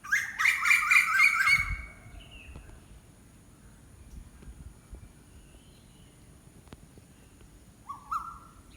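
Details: Unidentified bird giving a loud, harmonic-rich burst of rapid repeated notes for about two seconds, then quiet, with one brief rising whistle near the end.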